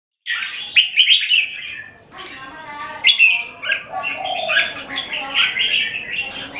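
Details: Captive red-whiskered bulbuls in a singing competition: bright, warbled phrases rising and falling, with one burst early, a brief pause, then a dense chattering run of notes until the end.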